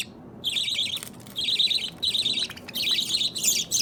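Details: Pet baby budgerigars, opaline and lutino birds kept together, chirping while they play with a chain; harsh, buzzy twittering phrases starting after a short silence, several bursts in close succession.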